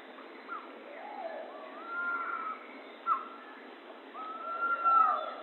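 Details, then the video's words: Pavonine quetzal singing: drawn-out clear whistles near one pitch, rising at the start and sliding down at the end, with a short sharp note in between, over faint background hiss. "Canto do pássaro quetzal-pavão"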